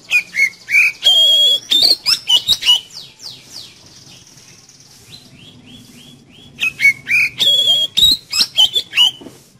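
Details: Energetic Oriental magpie-robin song for prompting a kept magpie-robin to sing: two bursts of fast, varied whistles and chirps with long, ringing high notes, separated by a quieter stretch of soft, descending twittering.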